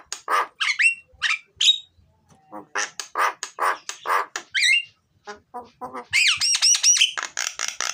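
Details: Vigorous myna (jalak) song aimed at luring lazy mynas to sing: a long irregular mix of harsh rasps and bright whistled slurs, ending in a rapid run of repeated high, ringing notes.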